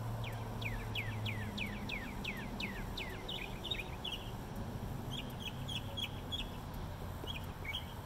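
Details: Northern mockingbird singing from a light fixture in Bluffton, South Carolina, opens with about eight rapid downslurred whistles in a row, then switches to clusters of shorter chirpy notes, each phrase repeated several times, with a constant low hum behind.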